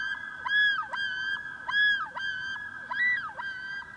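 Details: Common loons on a pond, where a mated pair confronts a rogue loon intruding on their territory, warning it and chasing it off. Loud, ringing, wavering phrases that rise and fall, repeating roughly every second and a quarter, with a steady tone beneath.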